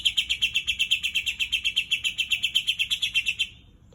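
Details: Greater green leafbird imitating a white-eye's song: a fast, even string of bright, high chipping notes, roughly four per second, running for about three and a half seconds before stopping abruptly in a quiet room.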